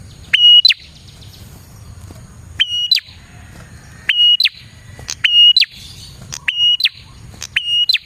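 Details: Prinia song used as a lure to attract prinias: sharp, high, loud phrases of a short click, a flat piercing whistle and an abrupt upward flick, repeated about every second with brief gaps, over faint low background rumble.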